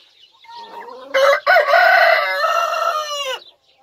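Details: Pet rooster crowing once: faint lead-in notes rising, then a sharp break into a loud, coarse, sustained crow of about two seconds that bends down at the end before fading out.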